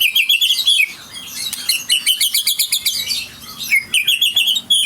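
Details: White-rumped shama of the Aceh type, billed as a champion songbird, singing a loud, fast run of high chirped and whistled notes in quick bursts, with a brief pause in the middle before the rapid trills resume.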